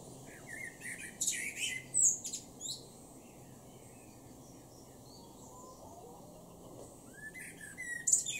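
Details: Male blackbird in a garden in Norden, East Frisia, Germany, June 2023, sings short mid-pitched notes that run into squeaky high twitters, then falls quiet for several seconds before another brief phrase.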